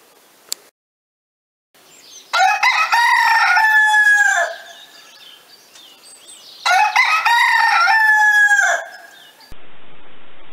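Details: A rooster on a French countryside farm crows twice, each a loud, hoarse, drawn-out cock-a-doodle-doo of about two seconds, with a quiet pause between them and faint hiss at the end.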